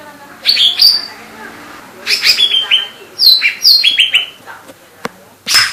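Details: Lesser green leafbird (cucak ijo mini) in full 'gacor' song: bursts of sharp, high whistled notes and buzzy slurred chirps, with brief phrases separated by short pauses and a faint background hiss.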